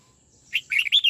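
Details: Brief burst from a red-whiskered bulbul trained in the '89 xoắn tít' style: a clear whistled opening note followed by a rapid, twisting run of louder warbling whistles, cut off mid-phrase.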